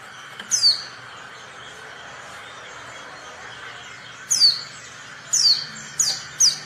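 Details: Female Oriental white-eye call meant to prompt silent males to sing: one high descending note, a long pause, then four quick sharp downward-sliding notes in close succession, over low steady hum.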